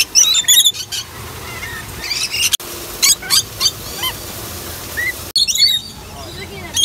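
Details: Rainbow lorikeets in a zoo lorikeet aviary: shrill, screechy chatter in quick bursts from several birds at once, with brief human speech underneath; lorikeet.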